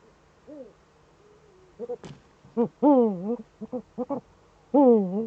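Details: A pair of wild Eurasian eagle-owls (Lotte and Heinzl) calls in the Eifel, Germany, on 7 April 2013 at 20:28 in the evening, with the male Heinzl at the nest. They give deep, wavering hoots that rise and fall, in short bursts and longer drawn-out notes, with one sharp click between.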